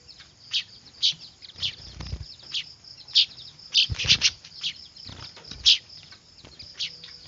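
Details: Noisy weaver chicks, used as a lure for catching birds: sharp high chirps repeated irregularly over a steady thin high whine, with soft low thumps and fluttering near the middle.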